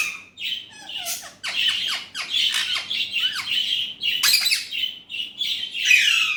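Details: Alexandrine parakeet, a speaking bird using Urdu/Hindi, gives dense, grating squawks and chattering bursts, nearly unbroken, with a few brief downward slurred notes.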